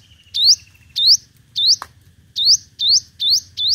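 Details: Lure recording of a five-coloured sunbird's competitive singing: seven clear, high, rising whistled notes repeated roughly every half second over a soft low rumble.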